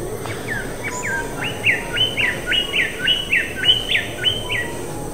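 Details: Greater bird-of-paradise calling during courtship to attract females: a steady series of about ten short, loud, rising upslurred notes, each roughly half a second apart, over a constant low rumble of background noise.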